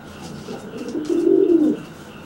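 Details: Single low swelling coo from a dry pigeon threatening a wet pigeon after its bath, building to a louder burbling peak and fading.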